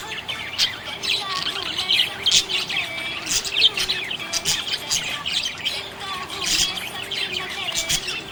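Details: Contented budgie chirping, with a stream of bright squeaks, chips and short buzzy warbles arriving irregularly, roughly every second.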